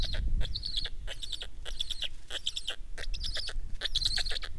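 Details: Black stork calling: quick bursts of raspy, hissing notes, several short pulses per burst, repeated roughly twice a second over a low rumble of wind.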